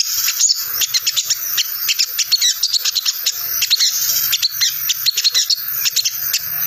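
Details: Sogon in ngriwik mode, a chatter used to lure wild sogon: a steady stream of rapid high, dry clicking notes, almost continuous and uneven in rhythm, with faint low hum beneath.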